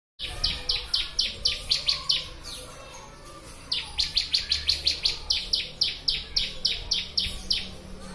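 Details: Bar-winged prinia (ciblek) song from a master recording for training birds: rapid bursts of sharp, high chirps, about four per second, in two long runs separated by a brief pause, with faint low background hum.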